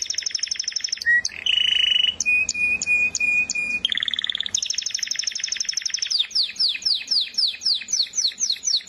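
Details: Canary song with a fast high trill, a low buzzing roll, a steady whistled tone with sharp ticks, another rapid trill, then a run of quick downward-curving chirps.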